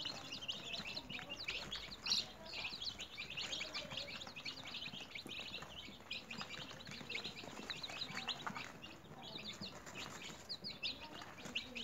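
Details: Newly hatched domestic chicks in a cage at home give a steady chorus of high, short peeps, many birds calling at once with no pause throughout.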